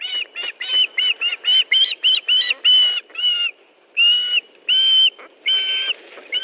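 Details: Osprey at its nest in Estonia on 13 July 2013 around 17:58, during a fish delivery: loud, rapid series of shrill whistled cheeps, short notes at first, then longer slurred whistles, repeated about twice a second.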